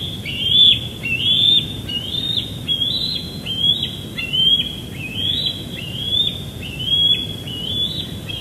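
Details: Juvenile bald eagle squeeing behind a parent during an evening chase at Big Bear Lake, 21 June 2022, recorded by a nest live cam: clear series of high, whistled, downward-bending squeals, roughly one per second.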